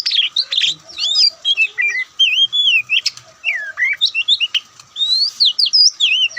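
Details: Loud, richly varied song of a white-breasted Oriental magpie-robin in the Ngobra style. Continuous twisting whistles swoop up and down, each note following the last almost without pause, some high and thin, others fuller.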